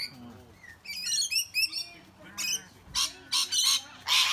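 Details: Rainbow lorikeets bullying much bigger birds such as sulphur-crested cockatoos and bush turkeys: a run of rapid, chattering, ringing notes, then harsh broadband screeches in short bursts about every half second.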